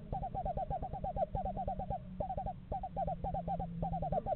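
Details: Screech owl pair looking over a nest box in a yard during November; clustered rapid hoot notes forming short trills, then sparser single notes, above a low droning hum.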